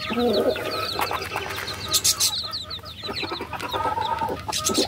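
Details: Chirping baby chickens, with rapid high peeps running throughout alongside lower, softer trilling notes, clicks and shuffling sounds.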